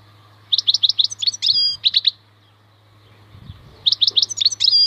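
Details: Wild European goldfinch singing twice: chirpy rising notes, a nasal buzzy note and twittering, separated by a two-second gap, over a steady low hum.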